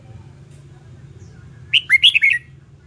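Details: One quick lively phrase from a red-whiskered bulbul in song training: five or six sweet slurred whistles tumbling up and down, after a quiet lead-in with a soft background hum.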